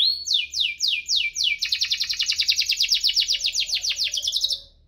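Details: Canary chirping and rolling, a lure for lazy-singing canaries: a few descending whistled slurs, then a long rapid trill of repeated notes that fades out.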